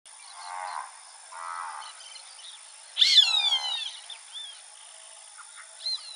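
A roadside hawk gives harsh, nasal, downslurred screams: two softer ones early, then one loud piercing cry. Faint chirps from other small birds are also heard.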